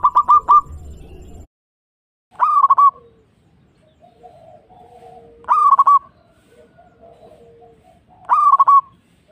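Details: Local zebra dove song used as a lure to make other doves answer. Four phrases about three seconds apart, each of quick clipped notes running into a rolling, bubbling coo, with a soft rumbling noise at the start.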